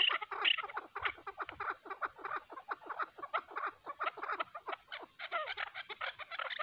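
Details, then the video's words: Chukar partridge calls during a fight between a decoy bird and a wild mountain chukar; sharp repeated clucks in quick rhythmic runs, steady and insistent throughout. "shikari chakor aur pahrhi chakor k darmiyan zbardas layi😍 keklik sesi chakor"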